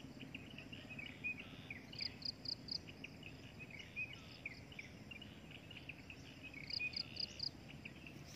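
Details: Breeding adult drongo producing two bursts of four rapid high pips several seconds apart, with soft scattered chirps and short slurred whistles between them, in steady background noise.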